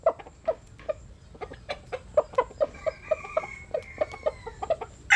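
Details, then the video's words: Soft, low clucks from a sunbathing Jap Cuban bantam chicken, repeated about every quarter second for five seconds. A faint thin whistle-like tone runs through the middle. "Gà Tre Jap Cuban Tắm Nắng. Gà Gáy/ Chicken Bamboo Jap Cuban Sunbathing. Crow"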